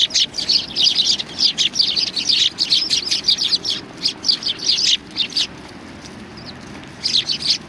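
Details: Sparrows coming to be fed at Tenmangu shrine on 25 November 2020: a dense flock chatter of sharp, high chirps tumbling over one another, with a short lull before a final burst.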